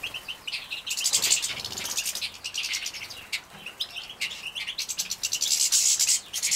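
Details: Recorded in Poland in 2017 as captive-bred goldfinch youngsters are fed: dense bursts of sharp, high, rasping chatter, interspersed with thin, tonal chirps, rising and falling in loudness.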